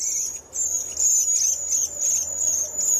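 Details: High, thin, drawn-out notes from a redwing, repeated in quick succession with a slight downward slur, over a quiet background.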